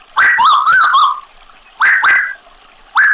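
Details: Gacor Tuwu bird with added trickling water. A rippling, wavering whistle runs for about a second, followed by two shorter rising-and-falling whistled notes after pauses.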